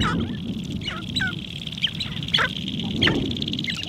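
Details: Sharp-tailed grouse on a spring lek in Montana, recorded from a blind on a Canon R5: scattered sharp clucks and squeaky yelps over steady wind rumble and a constant high hiss.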